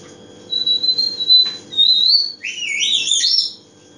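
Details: Pet African Grey Parrot: a few steady high whistles, a short click, a longer rising whistle, then a burst of squeaky, warbling notes sweeping up and down; a faint low hum underneath.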